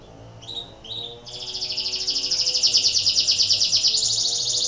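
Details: Canary in breeding condition, singing to stimulate other canaries: two short chirps, then a long, rapid high trill that swells in loudness, with notes pulsing about three times a second.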